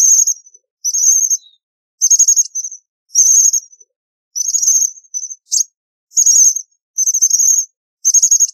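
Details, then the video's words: An American Bushtit gives very high, thin twittering bursts, each under a second, roughly once a second with irregular gaps; nothing else is heard. "American Bushtit Song! American Bushtit Call! Sound!"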